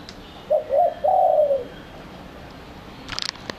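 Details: Spotted dove lure call used to pull in doves: short-short-long coo phrase, the last note falling away, followed by a brief burst of rustling clicks.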